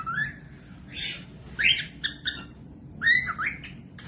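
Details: Cockatiel song for teaching other birds, including young ones, to sing: a rising whistle followed by harsh squawky bursts, clipped notes and a final looping whistle, with low hum underneath.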